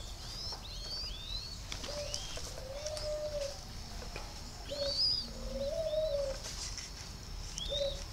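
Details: Spotted doves in a breeding aviary near Ba Vì, Hanoi, during breeding season: soft mid-pitched coos in drawn-out level notes, several in a few seconds, with high thin chirps and squeaks from other small birds over them.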